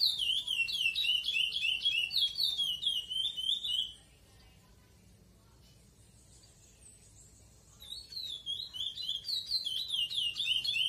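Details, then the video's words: A captive-bred Curió Praia Clássico, a Chestnut-bellied seed finch sired by X9, sings loud, clear, fluty whistled phrases in quick rising and falling runs, pauses several seconds, then resumes. "Curió Praia Clássico X9 Filho"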